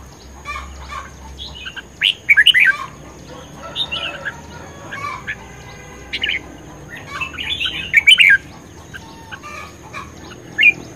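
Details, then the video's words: Red-whiskered bulbul in spirited fighting song. Sporadic bright, twittering whistled phrases rise above a busy background of fainter chirps and rustling. "Chim chào mào hót | chào mào | chào mào hót đấu | chào mào căng lửa | chào mào sung sức"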